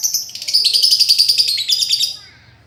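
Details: Lovebird in a master recording used to train a bird that stopped singing: one continuous, rapid, high, buzzy chattering trill lasting about two seconds, then fading out.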